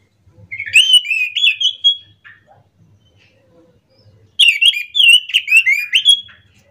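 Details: Morning song of an orange-headed thrush, two bursts of rich, rapid, varied warbling with slurred whistles, separated by about two seconds of near silence with a faint low hum.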